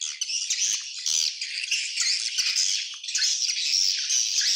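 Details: Crowded chorus of swiftlets, shrill overlapping chirps and rattles forming a steady, high twittering wall of sound with faint clicks underneath.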